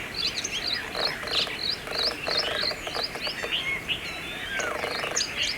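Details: A Brahminy starling (Sturnia pagodarum) in Aurangabad, India, sings a busy, jumbled run of sharp chirps, squeaks and short slurred whistles, about three notes a second, with one longer falling whistle near the end.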